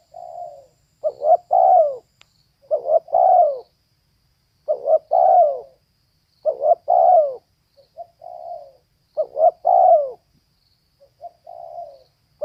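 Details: Steady cooing from a female spotted dove, about six phrases. Each has a quick double note and then a mellow downward-gliding coo, with softer single coos interspersed. Nothing else is heard.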